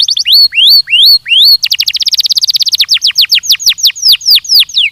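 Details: Belgian canary in a training recording gives a few upslurred whistles, then a very fast roll that slows into a series of descending slurred notes.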